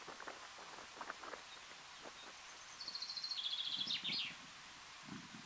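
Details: Woodchat shrike (Lanius senator senator) in the Alpilles, France, in May 2018 gives a quick, high, scratchy chatter of rapid notes stepping downward over about a second and a half, over rustling and soft background noise.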